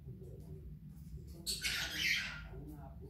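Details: Pet parrot indoors in a destructive mood gives one harsh, noisy squawk lasting nearly a second over low room rumble and faint voices.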